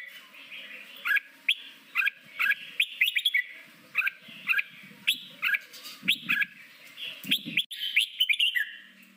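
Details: Red-whiskered bulbul giving a forest-voiced training song for newly caught birds: a chain of short, bright, rising whistled notes spaced about half a second apart, ending in a burbling warble, over a faint low hum.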